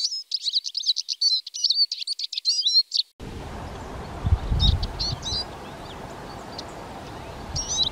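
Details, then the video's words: Eurasian siskin (Spinus spinus) gives a fast, jumbled twittering song of high chirps and buzzy notes, then softer scattered notes over a rumbling background noise. "Čížek lesní, Eurasian siskin, Erlenzeisig, Sijs, Чиж, Czyż zwyczajny, Tarin des aulnes"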